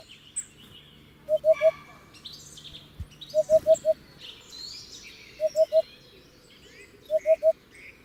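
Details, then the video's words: Hoopoe giving its soft, low, hollow hooting call in quick groups of three or four 'oop' notes, each group about two seconds apart, with faint higher chirps from other birds in the background. "Hoopoe sound || The most beautiful sound of Hoopoe bird"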